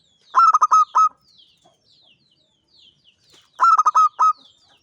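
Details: Ngancing-style song of a champion local zebra dove: two bursts of five clipped, mellow coos, the last note longest, spaced about three seconds apart over near silence.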